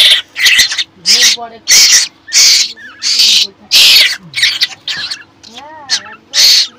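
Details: Asian koel nestling, very hungry and kept in a pigeon cage, begging to be fed: rapid series of loud, rasping screeches, roughly ten in under seven seconds, interleaved with a man speaking softly.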